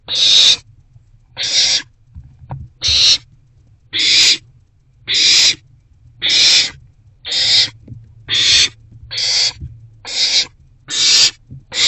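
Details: Evening nest box recording from 29 March 2024, owls calling as rodents are delivered: a long series of raspy, hissing screeches, each about half a second, repeated a little under once a second with a faint background hum.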